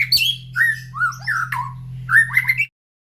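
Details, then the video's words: Captive white-rumped shama in the morning after feeding, beside cages of other birds calling back. Clear whistled and warbled phrases rise and fall, then stop abruptly, with a low hum throughout. "Suara Murai Batu Gacor"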